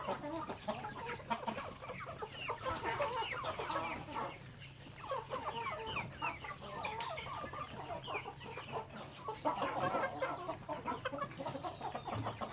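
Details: Flock of backyard native chickens eating grains at feeding time, a continuous busy murmur of clucks and quick upward chirps, briefly quieter near the middle, low background hum throughout.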